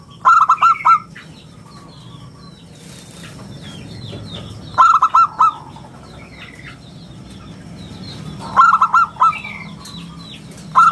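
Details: Lure and master song of a local zebra dove in the crisp round style: four bursts of fast staccato hoots spaced several seconds apart, while other small birds chirp high in the background.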